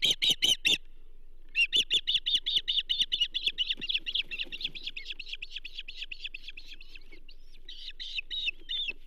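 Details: At the Charlo osprey nest, 15 June 2024, as a bull trout is brought in: a quick string of shrill chirps that fades into a long, softer run of evenly spaced high calls, then louder chirps again.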